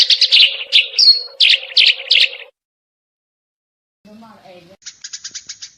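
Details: Eurasian tree sparrow in a 'full tembakan' style tutor recording: quick bursts of sharp, high chirps in tight clusters with a low steady hum beneath, a pause, then a faint rapid ticking series.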